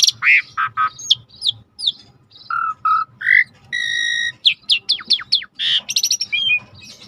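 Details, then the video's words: A starling ("suret"), described as in full, vigorous song, delivers a fast, varied medley of squawks, clear rising and falling whistles and buzzy chattering notes, changing phrase about every half second. "Suara jarak Suret gacor /the sound of the starling suret gacor"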